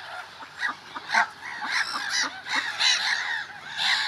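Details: Early-spring gulls uttering separate bright, arched squeals and yelps, about one a second, over a softer background of more birds calling.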